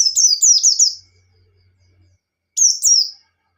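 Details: Caged white-eye singing the ngalas style, used to provoke a rival: a rapid run of high, descending slurred whistles over about a second, a pause, then a shorter burst of the same sweeping notes.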